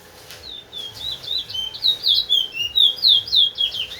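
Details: A Linden towa towa (large-billed seed finch) kept as a teacher bird to train other birds sings a fast, steady series of clear whistled notes, about four per second, growing louder through the phrase.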